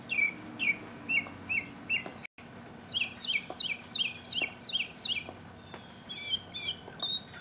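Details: Mockingbird singing solo in 2015: a series of clear repeated notes gives way to a run of rapid, slurred, higher chevron phrases, then a new repeated phrase type, with a short break in the sound.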